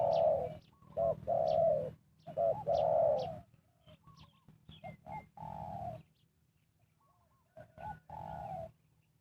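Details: Spotted dove coos played to lure wild doves into a trap: clustered short and long hollow coo notes early on, then quieter scattered coos, with a constant low background hum.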